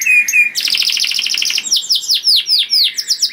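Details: A canary's loud, melodious song for drawing other canaries: two clear low whistles, a buzzy rolling trill, then a string of evenly spaced falling whistled notes.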